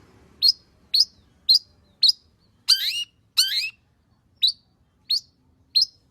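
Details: Long-tailed shrike (cendet) singing as a lure for other birds: short sharp high chirps spaced about half a second apart, broken by two longer harsh buzzy notes.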